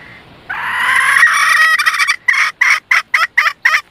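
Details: Red junglefowl hen used as a decoy to lure males: a long harsh cackling note gives way to a run of six short, evenly spaced clucking calls about every quarter second.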